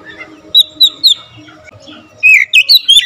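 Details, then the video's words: Oriental magpie-robin with three clear whistled notes, a quieter pause, then a quick series of bright rising and falling whistles. "Kacer gacor nembak rapat full variasi isian"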